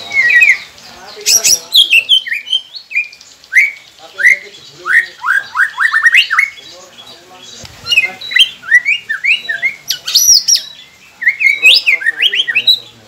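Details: White-rumped shama song used to coax silent caged birds into singing: a varied run of sharp rising and falling whistled notes, chattering bursts and harsh squeaks, delivered in quick phrases with short pauses.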